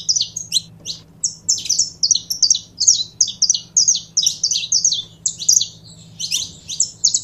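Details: Saffron finch, known locally as canário-da-terra, singing a fast run of short high chirped notes in quick bursts, with a low steady hum underneath.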